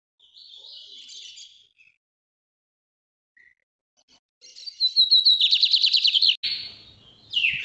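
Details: Lined seedeater (bigodinho) singing the northeast song type, a style used for training young birds in Brazil: a soft buzzy phrase, a pause, then a loud rapid trill of repeated high notes ending in a buzzy, rasping flourish.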